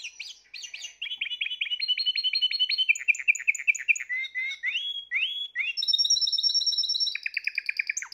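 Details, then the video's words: Spanish Timbrado canary, the third of the keeper's 2020 birds, singing varied phrases: rapid metallic trills, a run of rising slurred notes, then high buzzy sustained tones and a fast rattling trill at the end. "تغريد طائر تيمبرادو"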